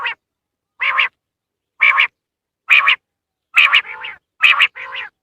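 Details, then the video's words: Common quail call used to attract quail for hunting: short, rough, harmonic bursts repeated about once a second at a steady pace, with later bursts doubled into paired notes, against a silent background. "زیادہ سے زیادہ بٹر پکڑنے کے لیے اس اواز کو استعمال کریں"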